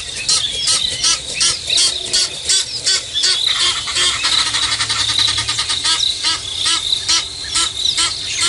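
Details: Egyptian geese in a double fight at Nkorho, South Africa, on 24 September 2022 at 5:30 AM, squabble with a dense run of harsh, hoarse squawks and honks, several birds calling over one another at a rapid, uneven pace.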